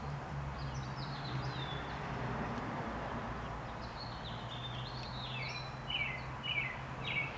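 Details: American Robins singing on 28 April 2019, short, clear caroling phrases that rise and fall, a few every second, over a steady low engine-like hum.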